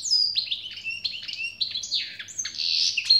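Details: European goldfinch delivering an unbroken stream of lively twittering song, mixing liquid, sliding notes with buzzy, nasal chirps, high-pitched throughout with a soft low hum underneath.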